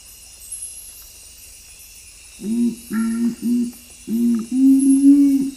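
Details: Low booming song of the Nocturnal Curassow, a night-singing western Amazonian forest bird of the upper canopy levels: after a quiet start, a series of deep hollow hoots, the first three short and evenly spaced, then two longer swelling notes.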